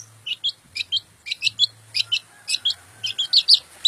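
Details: Long-tailed shrike delivering clipped, chattering chirps in small clusters, some buzzy and some clearer, spaced irregularly with short gaps and a soft low hum behind.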